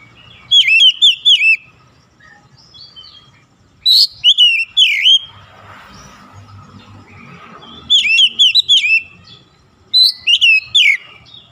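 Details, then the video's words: Morning-sun singing from an oriental magpie-robin (kacer): repeated bursts of rapid, bright, swooping whistles, four to five notes per phrase, roughly every three seconds, with a soft hissy rustle between phrases. "SINAR MATAHARI PAGI SANGAT AMPUH MEMBUAT KACER LEBIH GACOR"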